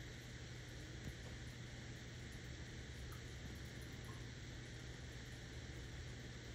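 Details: Steady broadband hiss with a constant low hum throughout, like machinery or air conditioning, and no animal voice.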